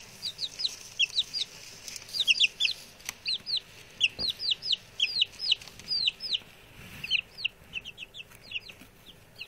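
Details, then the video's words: A group of six newly arrived male chicks keeps up a busy chorus of high descending cheeps, mostly doubled notes, with a few clicks and a soft thump midway. "the new chicks!"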